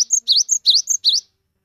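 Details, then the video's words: Four crisp phrases from a skittish 'wingko' cinereous tit used as a song lure for silent tits, each a high flat note dropping into a rising slur, delivered in little over a second. "GELATIK BATU GIRAS TAPI GACOR COCOK UNTUK PANCINGAN GELATIK BISU"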